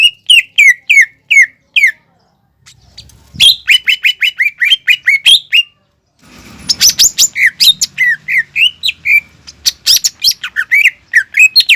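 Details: A greater green leafbird sings continuously as a lure for birds still learning their song: long series of fast, shrill whistled chirps, some rising and some falling, with a brief noisy passage in the middle.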